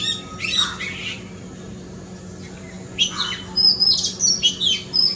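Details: Oriental magpie-robin in a front yard: a couple of scratchy, buzzy notes, a pause of about two seconds, then a lively string of mixed harsh and whistled notes including thin high pure tones.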